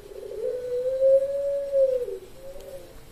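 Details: A single long, even coo from a prize-winning Puter Pelung dove, Sragen online voice contest, October 2021. The note holds steady for over a second before dropping, with a faint softer coo after.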